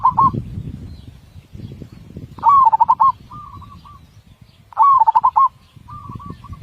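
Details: Perkutut, the zebra dove, singing a master song with a big voice and close-set beats: rolling bursts of rapid cooing notes every two to three seconds, each followed by a softer short trill, over steady low background noise.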